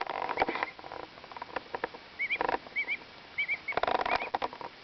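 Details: Two-week-old pet duckling giving its contented happy peep while cleaning its feathers, soft wavering twittering peeps in short bursts, mixed with rustling and tapping preening noises.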